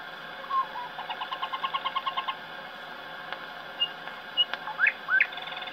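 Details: A thrush nightingale recorded in 1910 in an aviary in Bremen, Germany, in a single take onto a wax master, sings a fast run of about a dozen repeated notes, then scattered pure whistles and sharp upslurred notes over heavy hiss.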